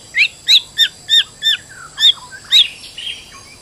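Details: White-rumped shama, a stressed bird used as a lure to make other birds sing: seven sharp, loud, descending notes about every third of a second, then softer trailing fragments.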